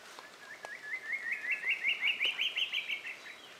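A fork-tailed drongo-cuckoo gives a quick run of about a dozen sharp whistled notes that climb steadily in pitch and then fall away at the end. Faint background hiss.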